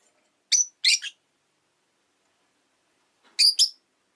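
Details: Relaxed afternoon chirping from a pet rosy-faced lovebird: a brisk triple of scratchy high notes, a pause of over two seconds, then a clipped double chirp.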